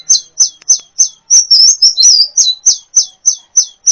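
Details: Sunbird song used as a training recording for caged songbirds: rapid, high, thin chirps repeated about three times a second, each dropping in pitch, with a brief run of tumbling, trilled notes in the middle.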